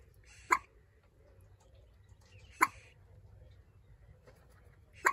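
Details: Common moorhen chicks give three sharp, clipped calls spaced roughly two seconds apart, each a brief harsh burst with a clear mid-pitched band. Soft hiss and low rumble fill the gaps.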